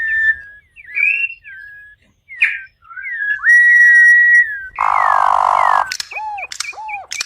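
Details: A campo troupial sings, apparently in captivity. Its song is made of clear whistled phrases, some rising and some falling, a long steady whistled note, and one harsh buzzy burst, followed by short descending whistled notes.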